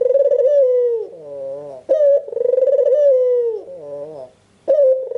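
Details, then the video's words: Pulsing, rolling coo of a red-eyed albino Barbary dove, used as a lure for other doves, repeated twice with quieter harmonic notes in between and a brief silence before a final coo starts. "Suara burung puter putih mata merah full gacor - Puter lain dijamin nyaut dan bunyi"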